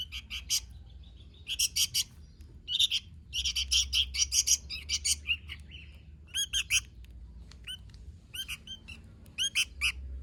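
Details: Sooty-headed bulbul singing vigorously: bursts of bright, chirpy notes grouped into short bubbly phrases, with brief pauses between clusters and a faint low hum underneath.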